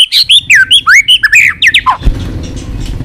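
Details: A white-rumped shama rattles through a fast, varied clicking song. Around a dozen high, swooping whistled notes come in quick succession, ending abruptly with a low thump and rumbling background noise.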